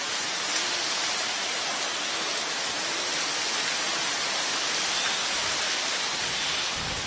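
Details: Dense, even hiss like heavy rain or rushing water, with no animal call.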